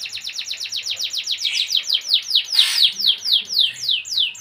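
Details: Canary singing a high, fast series of repeated downswept notes, speeding up at the start and slowing toward the end, with a brief louder burst in the middle.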